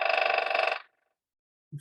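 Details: A Hairy Woodpecker in Lincoln in March drums in one fast, even roll of rapid taps lasting under a second, then silence and a soft thump.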